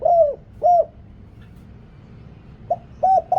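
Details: Decoy cooing of a spotted dove for calling wild doves in Thailand, background noise removed: two low hollow coos, a silent gap, then a clipped coo followed by two more.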